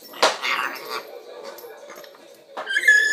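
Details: Pet male African grey parrot, filmed from afar because it is camera shy, gives a harsh noisy squawk and low murmuring, then a bright, wavering whistled note at the end.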